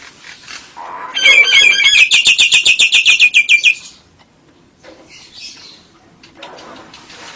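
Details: Nias hill myna song with lovebird and canary variations: a short, low warble leads into a dense, rapid burst of high, ringing chirps in even pulses for about three seconds, then quiet with faint scratchy sounds.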